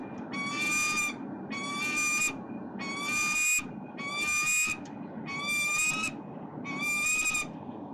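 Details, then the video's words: At 7:05 am on 15 November 2020 in central Melbourne, the mother peregrine falcon on the nesting box gives six harsh, drawn-out squawks, each under a second, about one every second and a quarter, over a steady low city rumble. "Peregrine Falcons~Mum is on the nesting box and squawked a bit"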